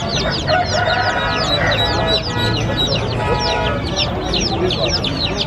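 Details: Several colourful baby chicks peeping happily. Continuous crowd of sharp, high, down-slurred cheeps, many per second, forms a lively overlapping chorus over a steady lower background sound.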